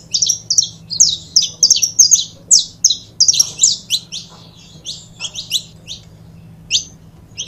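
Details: Saffron finch pair, captive: fast repeated high chirping, nearly three notes a second, dense and loud early then sparser, with faint low hum.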